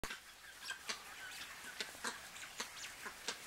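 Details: A flock of Crested guineafowl feeding on a forest edge in Limpopo Province, South Africa, on 8 July 2016, gives quiet, harsh clicking and chattering notes in irregular bursts, several a second, over a soft hiss.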